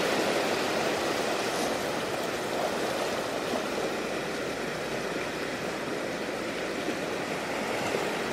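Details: Dense, even rush of flowing water or surf fills the whole stretch, with no animal calls heard.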